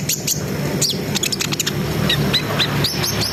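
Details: Brown-throated sunbird song for raising breeding arousal: a few high chirps followed by a run of short, evenly spaced upward-hooked whistles, with low rumbling noise beneath.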